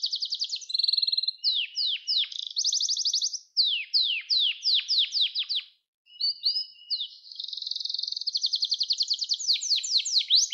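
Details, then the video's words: Singing canary on a recording meant for song training of young birds; rapid downward-sweeping chirps in runs, a brief pause, then a long bright trill that speeds into repeated swooping notes. "Kanarya Sesi Ötüş Eğitimi 2021 | Kanarya Ötüşü ve Ötüm Eğitimi"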